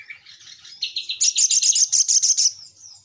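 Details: Little Spiderhunter lure call: a rising, buzzy twitter breaks into a fast, loud, even series of high ringing notes, about a dozen in two seconds.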